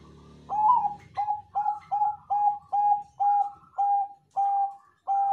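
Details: Bangkok zebra dove singing to lure other doves into answering: about nine crisp, evenly spaced coos, each with a quick upward lilt, roughly two per second, strong and clear.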